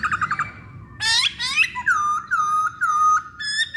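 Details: Masked laughingthrush pancingan song: a quick series of short notes, then a harsh burst, then loud, clear whistles repeated about twice a second at a steady pitch.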